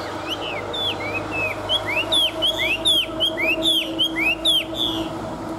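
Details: Old wild-caught Chinese hwamei in a cage delivers a rich, varied song of fluty slurred whistles, rising and falling phrases given in quick succession over a steady low hum.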